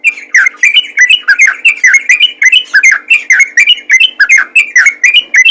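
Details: Lively yellow-vented bulbul calling to others of its kind, a continuous series of sharp, slurred chirping notes, falling then rising, repeated several times a second over a faint low hum.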